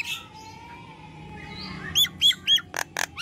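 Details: Nias hill myna in vigorous 'gacor' singing, for use as sound therapy for silent mynas; quiet start, then a run of loud, clear, arched whistles and sharp broadband notes in the final second.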